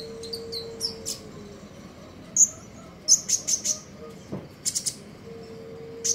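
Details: Morning song of a common iora in the trotol ngeriwik style, with quick high twitters and sharp chirps clustered in rapid runs, plus a faint steady low tone in the background.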